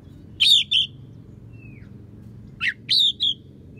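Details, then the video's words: Oriental magpie-robin song with mimicked sparrow and prinia phrases, used to train other songbirds. Two clusters of loud, high, harsh chirps are separated by a thin falling whistle over a quiet background. "Kacer Isian Gereja,prenjak pass untuk masteran"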